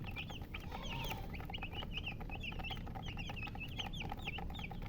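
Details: Baby chickens peeping: clear, high, falling chirps repeated in quick succession by several chicks, plus an occasional lower drawn-out note, against a low background hum.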